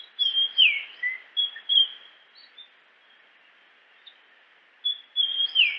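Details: Japanese grosbeak song, a burst of bright whistled notes including a steep downward-sliding whistle, falling silent for about two seconds before the phrase starts again with the same sliding note.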